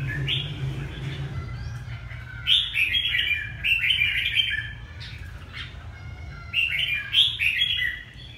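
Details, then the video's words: A Red-whiskered bulbul from Hà Tĩnh province in Vietnam gives lively chirping, whistled phrases in rapid clusters, pausing between bursts, over faint low background noise. "Chào mào Hà Tĩnh bộ đẹp"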